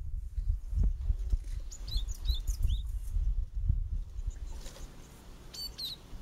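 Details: Japanese tit family at fledging time, six chicks leaving a garden nest box in a round-leaf holly near a mountain village, parents tending; scattered short high chirps and slurred notes, steady low rumble underneath.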